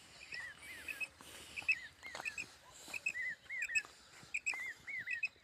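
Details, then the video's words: Common quail calling, recorded for quail hunting: short high doubled notes mixed with looping down-up slurred whistles, irregular, over a steady background hiss. "batair ki awaz batair Madi ki awaz"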